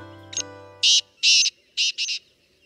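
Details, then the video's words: In the Kumaon hills at dawn, a partridge in the fields gives loud, harsh, grating notes, five rapid bursts in about 1.5 seconds, answering another partridge after a short delay; low hum underneath. "और कुछ पलों की देरी के बाद दूसरा तीतर भी उसका जवाब देता है"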